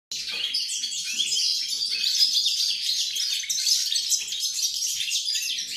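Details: European goldfinch song recorded on 28 November 2020: a continuous, rapid jumble of bright twittering and tinkling notes, high and dense, running without pause for the whole stretch, with faint low rustling beneath.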